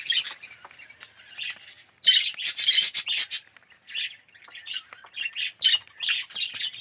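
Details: Yellow, red-eyed budgerigars kept as an aviary colony, bursts of bright chirps and squawky chatter separated by brief quieter lulls, voices overlapping in short loud clusters.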